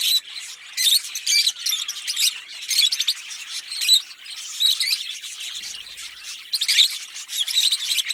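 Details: Green Fischer's lovebirds, a pair, chirping and singing: high, bright twittering chirps and squeaks in a continuous lively stream, volume rising and falling in short waves.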